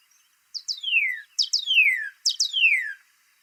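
Northern Cardinal song: three clear phrases, each a couple of quick high notes and then a long, loud whistle slurring steeply downward, about one per second.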